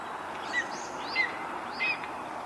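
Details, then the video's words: Female red-tailed hawk giving three short, thin, slightly slurred notes spaced roughly two-thirds of a second apart, heard over a steady rushing background noise. "Strange noises from a Red-tailed hawk"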